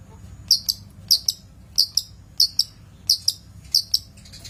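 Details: Master recording of a long-tailed shrike for training birds; repeated doubled high chirps, each pair sharp and clipped, returning roughly every two-thirds of a second against a quiet background.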